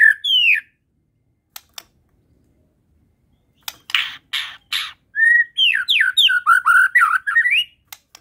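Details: Singing white-rumped shama of the Medan type, loaded with fill phrases. Short whistled bursts and a few sharp clicks come first, then a dense, rapid jumble of rising and falling whistled notes.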